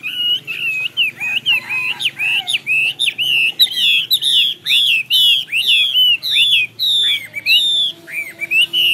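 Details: Chinese hwamei singing a rapid, loud series of clear whistled phrases, each note sliding up and down, repeated about twice a second without pause, rich and ringing, over a faint low hum.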